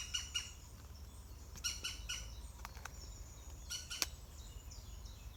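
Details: Nest of European green woodpecker on the day the young fledge, 16 June 2020; scattered loud, rasping double and triple notes, abrupt and harsh, separated by pauses, plus faint high chirps and low background rumble.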